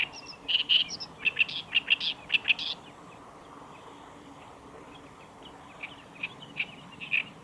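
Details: Black-browed reed warbler singing at the Kita-Fuji training area, Japan, on 15 July 2019: a burst of short chattering notes over the first three seconds, then a quieter scattered phrase later, over a steady background hum.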